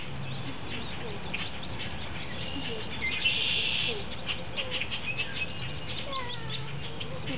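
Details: Wood duck ducklings less than a week old at High Park peep in thin, high, short notes that overlap in a busy chorus, some rising or falling, over a steady low rumble.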